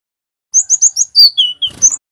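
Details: Male cinereous tit of the local Javanese wingko type, singing vigorously in the rolling ngerol style: four quick high chirps, then a sharp downslurred whistle and two lower, steady whistled notes.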